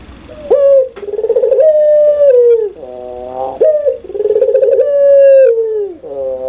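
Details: Loud, clear laughing coos from a pelung Barbary dove: a sharp rising start, then a rolling, pulsing note that steadies and falls away, repeated twice with a brief wavering coo between and no other sounds.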